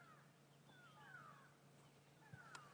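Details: Grey go-away-birds in Sabi Sand at sunrise on 17 August 2016 give nasal, drawn-out, downslurred "quack" alarm calls, somewhat faint, as an African hawk eagle takes off. A low background hum runs underneath.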